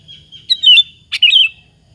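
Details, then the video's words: Sooty-headed bulbul in lively full song, used as a lure to provoke other bulbuls into answering; two bright whistled, warbling phrases with quick up-and-down notes, each under half a second, separated by a short pause, in a quiet background. "suara PANCINGAN BURUNG KUTILANG BUNYI GACOR"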